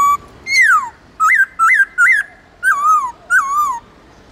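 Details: Long, clear wild-voice song phrases from a Central Highlands white-cheeked laughingthrush: a falling slur, three quick bouncing whistled notes, then two drawn-out wavering whistles that dip and fade.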